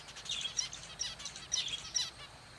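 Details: Kept zebra finch giving short, high chirping calls in small bursts, roughly every half second, with sharp bright notes set against a faint, steady background hiss.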